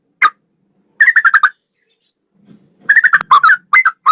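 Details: Male sooty-headed bulbul tutor recording in straw-headed bulbul style: one sharp note, then a rattling run of whistled notes, a pause, and a longer jumbled phrase of rolling, bubbly whistles.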